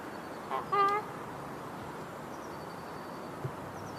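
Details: A Canada goose calls once with a short, two-part harmonic honk, sharply rising at the end, then steady low background rumble fills the rest.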